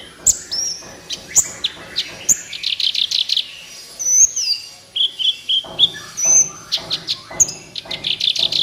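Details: Van Hasselt's sunbird's vigorous song for training captive birds: sharp high squeaks, then a fast run of buzzy repeated chirps and long thin whistles, ending in crowded twittering.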